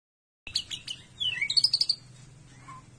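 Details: Kept white-rumped shama during the morning care routine of bathing and sunning, giving a brief burst of high chirps, a short down-slurred whistle, then a fast run of sharp high notes before fading.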